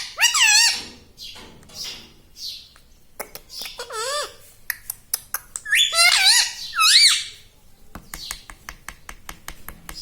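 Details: Pet parrot talking like a human, said to repeat "Mummy" and "Papa": bold, wavering, harmonic syllables recurring every couple of seconds, with soft clicks and faint background noises between them.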